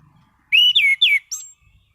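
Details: Three loud clear whistles, each sliding downward, then a short high thin note, sung by a caged orange-headed thrush; faint low rumble beneath.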